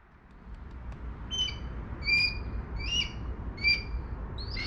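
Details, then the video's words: Calls of a juvenile Red-tailed Hawk diving at a Downy Woodpecker just north of Toronto in September 2022: five sharp, high squeals repeated roughly every three-quarters of a second over a steady low rumble. "I am pretty sure this is a juvenile Red-tailed Hawk calling and dive-bombing the Downy Woodpecker."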